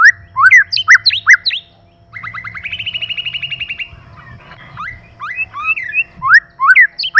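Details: White-rumped shama male and female singing: quick repeated swooping whistles, then a long rapid buzzy rattle of even notes, then more looping whistled phrases; a low hum runs underneath.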